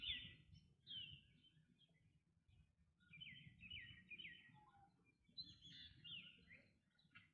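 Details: Black drongo giving a series of harsh, down-slurred calls, several in quick succession mid-clip and a few more near the end, against steady low background noise.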